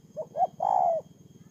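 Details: Spotted dove kept as a ground decoy bird, Tumorong, Kon Tum, Vietnam, 23 September 2018: one short cooing phrase of two quick low notes and then a longer drawn-out coo, over a steady low mechanical hum.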